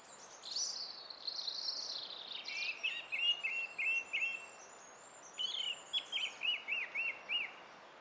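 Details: Song thrush recorded 20 April 2016: a high scratchy warble, then a rattled note repeated about six times, a pause, and another repeated-note phrase of six beats. Rhythmic phrase repetition over soft background hiss.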